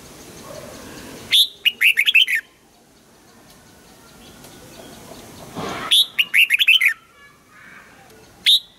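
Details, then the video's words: Red-whiskered bulbul in morning song training sings two rapid phrases of bright, rolling whistled notes several seconds apart, with a final sharp note starting a third phrase; background quiet with soft hiss. "Luyện giọng cho chào mào hót sáng, ép chào mào hót âm kép già rừng hay tuyệt!"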